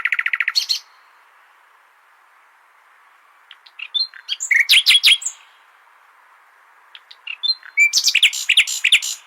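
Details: Common nightingale, its song used to teach goldfinches. A short rapid trill opens, then silence, then a loud varied phrase of clicking and trilled notes. After another pause a dense, rapid phrase of high notes follows.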